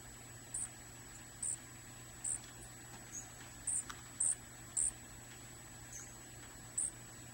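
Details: Dark-eyed juncos feeding on a deck after an overnight snow: short, sharp high clicking chips spaced irregularly about half a second to a second apart, with a steady faint hum underneath.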